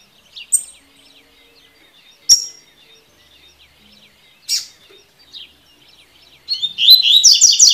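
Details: Double-collared seedeater in tui tui song style, for training birds: several isolated sharp, high chip notes spaced a second or two apart, then a fast, dense run of bright warbled notes closing the recording.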